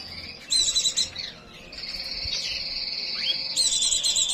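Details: White-eye in breeding condition giving shrill chattering bursts, then a long sustained buzzy high trill with a rising slur, ending in another burst of excited high twittering.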